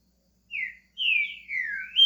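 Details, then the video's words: Green-winged saltator, a pet bird beginning its song, with one short falling whistle followed by a long drawn-out whistled phrase that slides downward and then rises at the end. "Trinca ferro SHREK começando a cantar"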